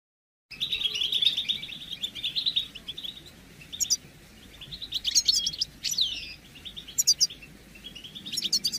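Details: European goldfinch mating and readiness calls for stimulating males after moult; after a silent start, a buzzy twittering run, then scattered rising chirps and sharp high notes over a steady hiss.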